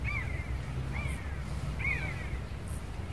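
A common buzzard gives three drawn-out, descending mewing calls, each under a second, spaced about a second apart, over a steady low rumble of wind.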